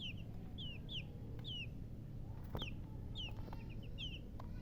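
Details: Baby chicks giving scattered faint, falling peeps, about eight across five seconds, half-buried under a steady low background rumble and a few clicks.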